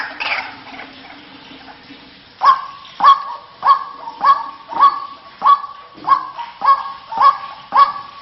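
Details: White-breasted waterhen lure call used to attract the bird: after about two seconds of faint rough noise, loud croaking notes begin and repeat steadily roughly every 0.6 seconds, about ten times.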